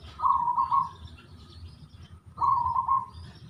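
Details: Wild local zebra dove singing. Two soft rolling cooing phrases, each under a second and about two seconds apart. Faint chirps from other birds sound above them, with low background rumble.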